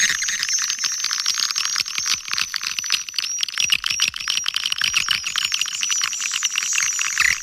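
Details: Swiftlets calling in Kampar, Riau, a lure sound for swiftlet houses: a busy stream of sharp, high, ticking chirps and thin twitters, unbroken, with loudness swelling and dipping.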